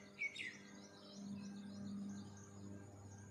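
A quick bright chirp from a bird opens the clip, followed by faint high twittering over a steady low hum.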